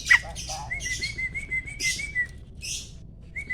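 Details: Adult male Asian pied starling ready for mating, kept in a cage, holding a long, thin, slightly wavering whistle, with rough hissing notes before and after it.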